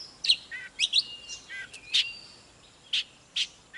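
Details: Oriental magpie-robin singing in display, heard more faintly over a steady hiss. Scattered sharp chirps and short whistled notes arrive at irregular intervals.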